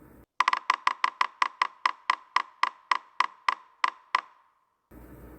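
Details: A run of about sixteen sharp, hollow wooden knocks, gradually slowing, like a wood block being struck, with faint room noise before and after.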